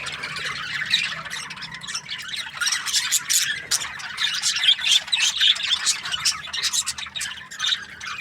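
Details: Budgerigars chirping in a busy group, quieter start building into bursts of scratchy squawks and bright chirps, with a low steady hum in the background.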